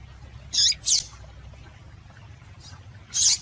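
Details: Female rusty-collared seedeater call played to get males singing; two quick high squeaky chips close together, a faint one later, then a final louder chip, with low background hum throughout.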